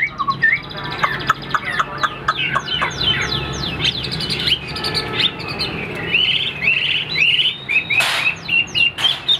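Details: Caged, nearly fully tamed Chinese Hwamei, said to have an excellent voice, singing rapid runs of sharp descending notes that open into rich, looping whistled phrases, fast and irregular.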